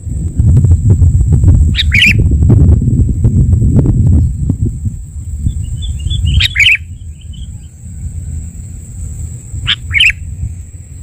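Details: Sooty-headed bulbul (Pycnonotus aurigaster) lure-call recording: three short, bright chirping calls about four seconds apart, over a heavy low rumble and a steady thin high whine.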